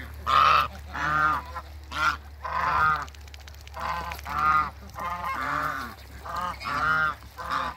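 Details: African geese, a pair met at a waterbird farm, giving loud harmonic honks in bursts roughly every second, some calls rising and falling, with a steady low hum underneath.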